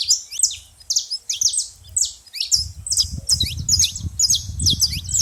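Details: Noisy saffron finch at a feeding place: quick high chirps in clusters, repeated about twice a second, with a steady low rumble joining in the second half.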